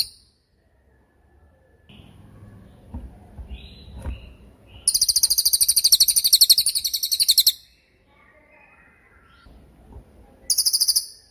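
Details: Crested jay (cililin) used as a training recording for songbirds. Soft scattered notes lead into a loud, sustained, high metallic trill lasting nearly three seconds, then quiet, then a short final burst.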